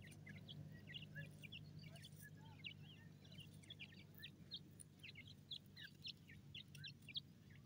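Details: Feeding in forest, francolin chicks make many brief, high, upslurred cheeps spread evenly across the stretch, a few louder notes standing out near the end, with a steady low hum below.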